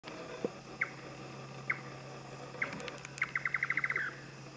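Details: Indian nightjar in Thailand, voice only: a few spaced, sharp clicking chuk notes, then a quick accelerating series of about nine similar notes that fades at the end, over a faint steady hum.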